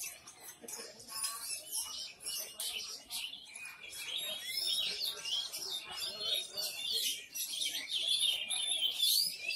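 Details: Oriental magpie-robin kept for singing contests in Sumedang, Indonesia, just recovered from moult; dense high chirping and whistled bursts with shrill lovebird-like shots, phrases tumbling quickly one after another, people talking faintly behind.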